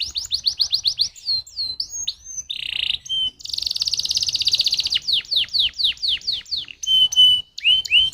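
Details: Lure song of a canary meant to set other canaries singing: quick repeated notes, a buzzy burst, a long sustained rolling trill, then a series of descending sweeps and brief whistles.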